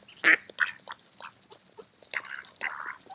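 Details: Mallards eating in a park in autumn give a few loud, raspy quacks, spaced irregularly with softer chuckling notes between them.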